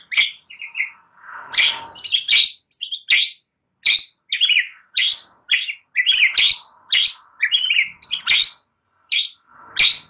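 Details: White-rumped shama song played to coax a young wild-caught bird just out of spotted juvenile plumage into singing: rapid varied phrases of high chirps, trills and downslurred whistles, each burst under a second, with brief gaps between.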